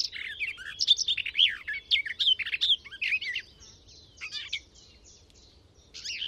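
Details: Hedgerow Garden warbler song, captured with a parabolic Telinga and MixPre recorder: a fast, delicately delivered warbling phrase of mixed chattering and fuller notes for about four seconds, a short pause with faint notes, then the next phrase begins.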